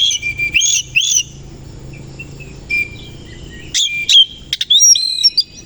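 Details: Oriental magpie-robin of the koci type singing vigorously with its tail fanned in the morning: sharp buzzy bursts alternate with clear high whistles and a long level whistled note, ending in rapid twittering phrases.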